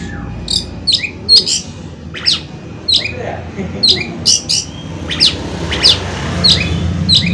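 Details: Oriental magpie-robin, kacer, used as a lure so other birds sing: spaced sharp descending whistles and chips roughly every half second over a steady rushing background noise.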